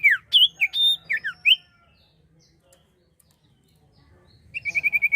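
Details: Common iora singing hard, recorded to lure other birds: a jumble of sharp slurred whistles and chips, a quiet gap, then a fast even trill of repeated whistled notes at a steady pitch.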